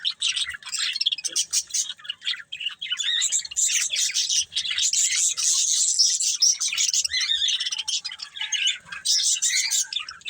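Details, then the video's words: Budgie breeding pair pouring out dense, high twittering chatter, bursts of rapid chirps and squeaky warbles that swell in the middle and tail into scattered notes. "Cute Budgies Chirping Sounds"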